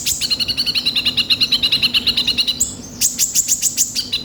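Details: Kolibri ninja sunbird lure song with rough fill-ins: a steady rapid rattling trill lasting over two seconds, then a string of piercing high chirps repeated quickly.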